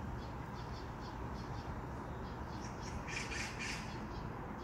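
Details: A Eurasian magpie that has taken over a nest, in a dispute with a great tit, gives a few harsh, rasping squawks in short bursts late in the clip, over a steady low rumble of background noise.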